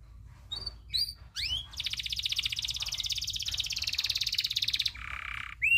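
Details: Local canary tutor song with a long rolling trill: a few rising whistled sweeps, then a fast even trill held for about three seconds, a lower buzzy trill, and a final upswept note.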